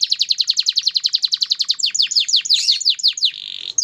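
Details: Canary from a breeding farm singing a fast trill of sharp descending notes, about six per second, that shift into broader swooping notes and end in a short buzzy phrase.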